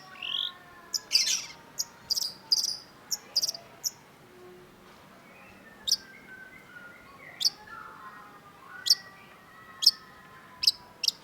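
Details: Long-tailed shrike, known in Indonesia as cendet, singing actively: a series of sharp, very high, click-like notes in short bursts at irregular intervals, some with fainter lower whistled phrases between them, over steady background hiss.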